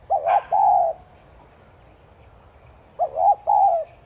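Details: Spotted dove giving 'thúc gù' coos that encourage other doves to call. Two deep, soft phrases about three seconds apart, each made of two quick notes and a prolonged downward coo. A faint high chirp is heard between them.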